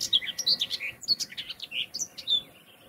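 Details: Common whitethroat filmed in nature, giving a rapid, scratchy, jerky warble of buzzy notes and short twittering chirps in one continuous burst lasting nearly three seconds, clear against a quiet background.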